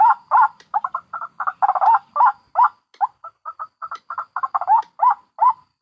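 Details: White-breasted waterhen adults and chicks recorded in the wild and combined as a trapping lure: rapid, uneven, throaty chuckling notes in dense bursts, several per second, mid-pitched and harsh.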